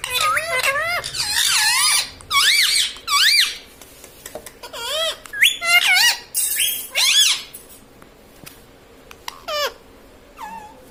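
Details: Indoor pet parrot, said to be talking and saying mummy, papa and mitthu, gives a long string of shrill, warbling, strongly bending harmonic syllables in bursts of about a second, then trails off into quieter squeaks.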